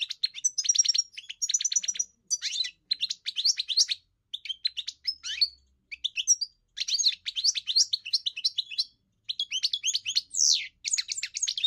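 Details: Kept European goldfinch, trained for song, delivering a long sequence: a rapid trill of repeated notes, then varied tinkling twitters in bursts, one falling buzzy slur near the end, with a clean background.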